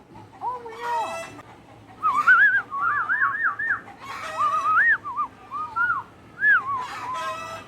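A myna gives wavering, voice-like whistled phrases broken by short harsh bursts that suggest coughing and laughing, repeated over several seconds.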